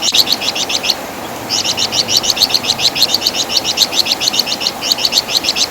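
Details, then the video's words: Flamboyan (Wergan Jawa) tutor song for cage songbirds, a fast stream of sharp, high chipping notes, about three or four per second, in bursts with a short gap, over constant background hiss. "Masteran Suara Burung Flamboyan | Wergan Jawa"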